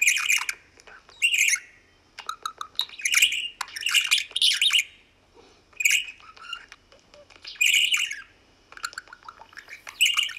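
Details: A pet budgerigar, while trying to eat bell pepper, gives bursts of scratchy, high chirps and warbles with short pauses between them.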